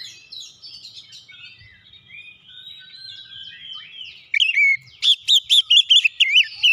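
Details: White-rumped shama song used to provoke other shamas into singing: quiet rambling warbles at first, then loud wavering whistled notes repeated rapidly in a burst.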